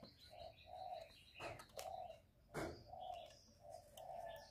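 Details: Spotted dove cooing, a lure for trapping and for exciting kept birds: low, soft coos run in short groups beneath busier high chirps from other birds, with two sharp clicks breaking in.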